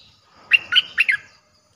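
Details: Streak-eared bulbul song used to draw in wild birds, four rapid, bubbly, slurred notes after a faint lead-in, in a clean, quiet setting.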